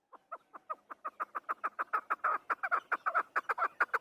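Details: Afghan chukar partridge calling: a rapid run of short, harsh chuck notes, about two per second, starting sparse and thickening into a steady rhythmic series that grows louder toward the end.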